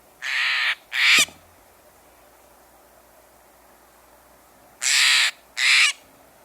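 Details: Steller's jay call replayed during a review of corvid calls: two pairs of harsh, raspy, broadband notes, each pair lasting about a second, separated by roughly four seconds of quiet, with a faint low thump after the first pair.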